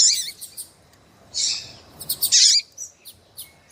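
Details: Female double-collared seedeater peeping to excite a male: a few high chirps, a longer buzzy squeak, then a loud twisting chirp, followed by soft scattered ticks.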